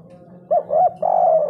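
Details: Spotted dove giving the big-voiced 'kuk 3' cooing style, meant to rouse other birds: a short hooted note, a second rounded coo, then a drawn-out mellow coo that slowly drops in pitch.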